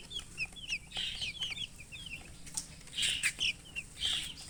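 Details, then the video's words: Young chickens giving bright, high falling peeps in uneven clusters, a few sharper louder chirps toward the end, with light rustling and low hum beneath. "Baby "Chicks Chirping" Sound"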